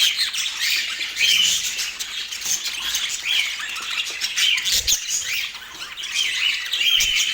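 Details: Pet budgerigars in Portland chattering nonstop, a dense mix of high chirps, warbles and brief squawks overlapping throughout with no pauses.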